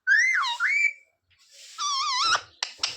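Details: Talking parrot, said to repeat "sita-ram", "jay shree ram" and "mummy papa": a wavering whistled phrase that dips and rises, a pause, then a strained warbling syllable ending in sharp clicks.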